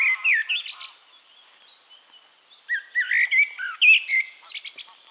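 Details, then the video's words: Singing Eurasian blackbird recorded in Castricum, the Netherlands, giving two phrases of rich, fluty warbles followed by thin high twitters, separated by a short pause with faint background birdsong. "One Hour Relaxing Birdsong: Blackbird"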